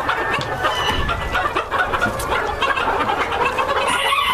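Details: Breeder flock of White Silkie Bantam bearded chickens, a steady overlapping chorus of clucks and short cackles from many birds, busy and continuous throughout.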